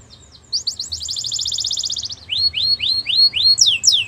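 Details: Belgian canary singing: a fast buzzy trill of rapid repeated notes, then a series of upward-sweeping whistled phrases repeated about every quarter second, ending in higher sharp notes.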